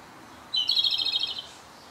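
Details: A Japanese robin that stayed six days in a local area sings on its last day in a dark spot: one loud, high phrase, a brief opening note running into a fast, ringing rattle about a second long, over faint hiss.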